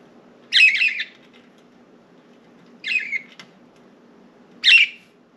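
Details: Pet budgerigars, four birds let out of their cage indoors, perching on window blinds and flying around; three harsh, buzzy chirps spaced about two seconds apart over a quiet room hum.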